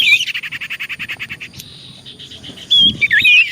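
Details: Common iora song played as a lure to prompt quick replies: a fast, even series of harsh pulsing notes for about one and a half seconds, then looping whistled phrases.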